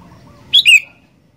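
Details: Sooty-headed bulbul uttering a single loud, clear whistled phrase: a sharp high note falling into a slightly lower slurred second note, over faint low background noise.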